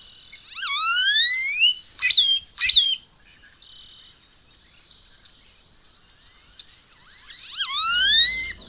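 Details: Great-tailed Grackle song: a loud whistle sweeping upward over about a second, then two sharp clacking notes, a long pause, and another rising whistle at the end.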